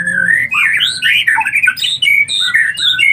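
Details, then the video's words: Collared kingfisher chicks begging: harsh, squawky rasping calls in quick irregular bursts, wavering and sliding up and down, several overlapping voices, with a faint low hum underneath. "Bayi anakan burung Tengkek raja"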